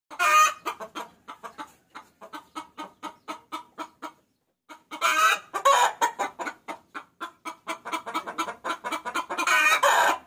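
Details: Hen calling to a rooster, used as a lure sound: fast runs of short clucks, roughly two a second, broken by loud harsh squawks at the start and end and one brief pause near the middle.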